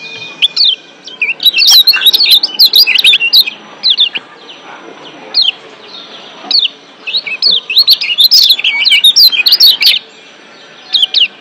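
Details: Excited Lombok white-eye (kecial kuning), wild-caught and in breeding condition, pouring out ciak song: dense bursts of very high, sharp chattering chirps separated by brief pauses, repeated several times.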